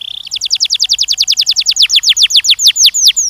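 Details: Canary singing during mating training of young males and females: a fast run of high descending whistled notes, about three and a half per second, opening with a brief steady trill.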